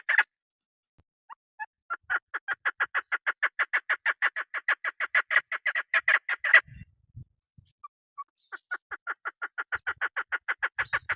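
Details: Hunters' female chukar partridge calling: a long, accelerating series of rasping chuk notes. A pause follows, with low thuds and a couple of soft clucks, then another rapid chuk series begins.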